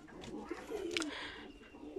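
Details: Domestic high flyer pigeons kept by a pigeon fancier, giving a low, soft, rolling coo that slides gently downward in the middle of the clip, with faint human voices and room noise behind.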